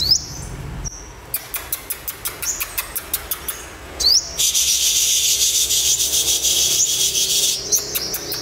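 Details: Captive young olive-backed sunbird, recently taken from the wild, calling with a quick regular run of sharp chips, about three per second, then a loud hissing spray burst overlaid by continued ticking and high twitters.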